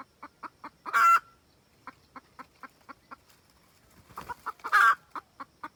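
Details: Red junglefowl hen cackling to call the rooster, a lure sound for trapping: a steady run of short clucks broken by two loud, drawn-out harsh squawks.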